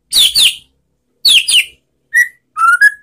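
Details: Relaxed white-rumped shama song played as a lure to stir other shamas into answering, with rapid pairs of high slurred notes followed by clear sustained whistles rising and levelling out.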